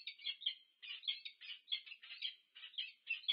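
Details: A wild pair of peregrine falcons meets at their nest on the UC Berkeley campus, USA, on 2 November 2022, giving harsh, rasping, chattering notes in quick bursts with short gaps, no other sounds.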